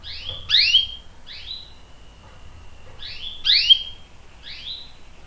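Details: Canary from a recording of long-rolling song used to prompt other canaries to sing; short high chirps with sharp upward and downward slurs, in two brief bursts separated by quiet.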